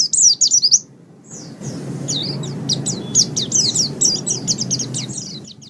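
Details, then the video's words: White-eye master recording for training birds: a fast high twitter, a brief pause, then a dense run of sharp chirps over louder low background noise. "Ocehan Suara Burung Pleci"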